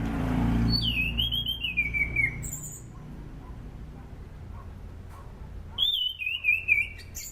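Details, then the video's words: Anis cendana thrush used to lure and train birds: a loud whistle dropping in pitch, then a quiet gap and a second similar falling phrase near the end, with a low rumble at the start. "SUARA ASLI ANIS CENDANA ..COCOK UTK PANCINGAN AM,AK DAN AC"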